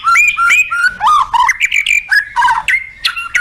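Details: White-rumped shama, or murai batu, in competition-style song with full fill-in phrases: loud rich whistles, repeated rising notes and rapid varied chirps in quick succession, about three per second.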